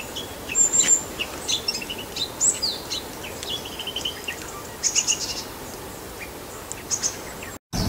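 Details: Bull-headed shrike, from a set of high-pitched calls, alarm, subsong, mimicry and begging. A quiet, rambling stream of varied thin whistles, chirps and buzzy notes with no fixed pattern.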